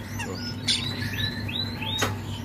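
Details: A caged European starling at a bird kiosk, with a pearl-spotted colour mutation, sings a quick run of thin, slurred rising and falling whistles mixed with chirps and a sharp click, over a low background hum.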